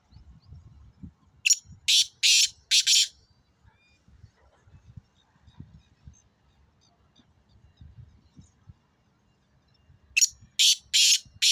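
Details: Black francolin calling near Khushab: two bursts of four harsh, grating, broadband notes in quick succession, one early and one near the end, with quiet low rumbling background noise between them.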